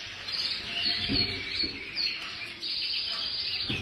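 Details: Full frill canary song with high twittering notes and short rolling trills, some clearer whistled accents, over light background noise and occasional low knocks.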